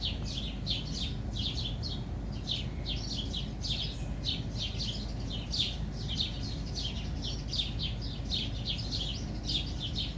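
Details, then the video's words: Bird of unstated kind calling with dense runs of short, falling, high-pitched chirps that repeat quickly throughout, with a continuous low background rumble. "Guees what Kind bird make this sound"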